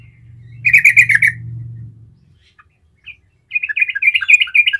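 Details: Yellow-vented bulbul (trucukan) delivering rolling song used to draw replies from other bulbuls: a short burst of quick chattering notes over a low steady hum, a pause, then another lively run of bright notes.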